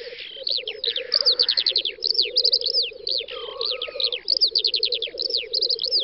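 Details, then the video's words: Lekking black grouse on a spring field, western Russia's Volga federal district, May 2019. Their continuous low bubbling rumble sits beneath loud, rapid, repeated high chirps and trills from other birds, plus one soft hiss. "Тетерев-косач токует"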